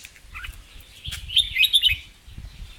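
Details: Red-whiskered bulbul in a cage, singing in the double and rik styles: after a soft note, a short burst of quick chirped, warbling notes in the middle, with background knocks and handling noise.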